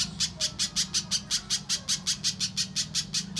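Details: Little spiderhunter call used as a lure so other birds start singing: a fast, even run of sharp high ticking notes, about two to three per second, with a low steady hum behind.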